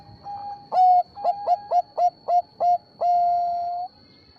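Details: Perkutut Bangkok zebra dove calling as a lure for other zebra doves to answer: a mellow held note, a string of loud short stuttered coos, then a long drawn-out final note, with a thin high electronic tone behind.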